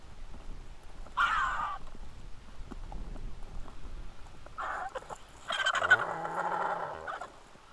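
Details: Griffon vultures feeding in a frenzy at the Hai Bar vulture feeding station, Israel, 2 August 2021, fixed camera; separated raspy hissing screeches, the last a longer grating squeal with a low droning undertone.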